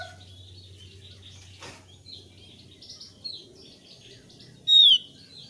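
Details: High, thin twittering from a thick-billed white-eye, a 'gacor ngeplong' singer played to coax new birds into song. Near the end it gives one loud, clear, down-slurred whistle.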